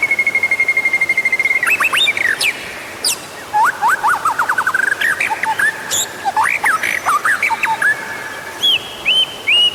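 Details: White-rumped shama song used as a lure to prompt other shamas to sing: a long steady whistled note, then quick rising and falling whistled slurs, sharp chips and short trills, over a constant hissing background.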